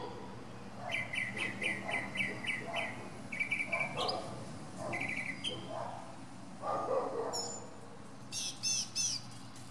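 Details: A mockingbird atop a pine delivers fast repeated chattering notes in trains, a short rising whistle, a lower harsh phrase and high sputtering notes near the end.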